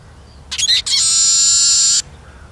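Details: Eurasian siskin: a short stuttering twitter, a brief gap, then a long, even, buzzy wheeze drawn out for about a second, loud and high-pitched.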